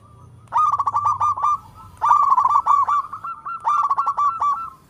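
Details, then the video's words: Local zebra dove (perkutut lokal) calling in all directions: three loud phrases of rapid, bubbling coos, each about a second long, spaced roughly every one and a half seconds. "Perkutut Lokal gacor suara merdu memanggil Keseluruh Arah"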